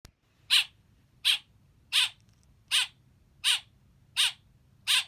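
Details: Baby blackbird chirping: seven harsh, raspy, descending chirps spaced about 0.7 seconds apart, with a soft low hum beneath.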